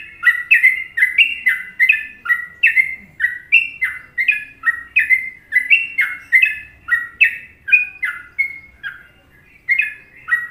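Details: Sooty-headed bulbul, Indonesia, singing the well-liked trucukan rhythm: continuous liquid whistles in alternating high and low pairs, each slurring downward, repeated rapidly for about nine seconds, a brief pause, then resuming.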